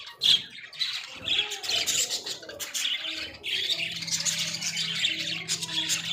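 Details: Australian budgerigars in a small cage make a continuous twittering warble of high chirps and squawks, with a loud sharp note near the start and a low steady hum underneath later.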